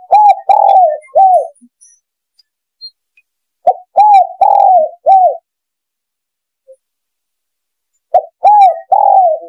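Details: Spotted dove uttering soft descending coos in short series, a longer wavering note among them, three series separated by silence.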